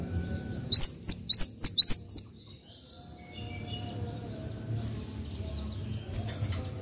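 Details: Java sparrow giving a quick burst of six loud, high, upswept chirps in just over a second, followed by several seconds of low background hum.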